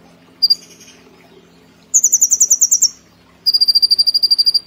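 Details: High, piercing trills from a caged brown-throated sunbird: one lone note, then two long rattling series of fast, evenly paced sharp notes, the last staying at a slightly lower pitch, over faint low hum.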